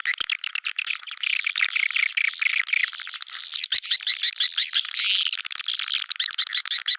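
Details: Swiftlets in a dense, continuous chorus of high, buzzy twitters and chirps, overlapping rapidly with scattered sharp clicks, all pitched high with nothing in the low range.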